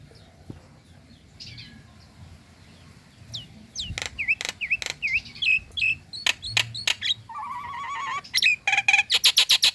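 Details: Nias hill myna female calling for the male. The opening is quiet, then varied slurred whistles and sharp clicks build into a wavering warble and quick loud repeated notes.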